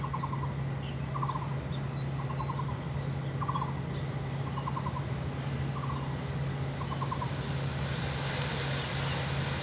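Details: A female Lesser coucal, marked by white spots on its neck, seen from a window on 26 June 2023, gives short, hollow bursts of four or five quick notes, repeated about once a second, over a steady low engine-like hum.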